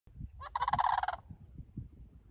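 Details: Several sandhill cranes near Lake Sallie; one gives a loud, rolling, trumpeting rattle lasting under a second, over low wind rumble and a faint steady high hiss.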